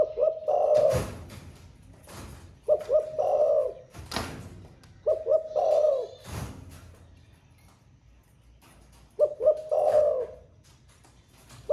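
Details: Spotted dove giving 'thổ pha' style song, said to coo throughout the day: four deep cooing phrases with a pause before the last, each of short hollow notes and then a longer purring coo, with loud knocks and clatter.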